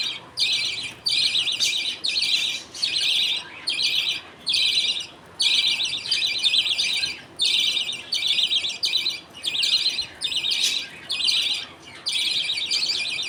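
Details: Pet budgerigar colony at feeding time, the father feeding food paste to two chicks while other budgies wait; a long run of about fourteen rasping, high chattering bursts, each under a second, with brief pauses.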